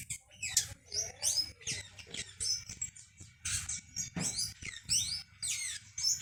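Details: Female blue hummingbird that rules a backyard and drives off rivals from the nectar: a dense run of thin, very high squeaky twitters and slurred notes, with lower chirps of other birds mixed in.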